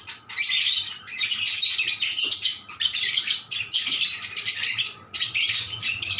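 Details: Lovebirds calling back and forth in a lively, sweet chorus: dense, high, shrill chattering in bursts of about a second, repeated with brief pauses, sounding from a small indoor space.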